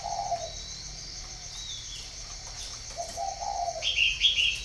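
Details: Spotted dove at a farm in Ba Vì, northern Vietnam, with two mellow coo phrases spaced about three seconds apart. Bright twittering from another bird follows near the end.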